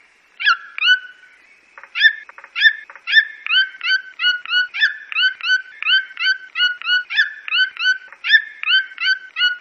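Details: Red-billed toucan of Brazil calling persistently. It gives a long run of nasal, yelping notes about three per second, steady and rhythmic, each note falling slightly. A few quiet clicks come near the start.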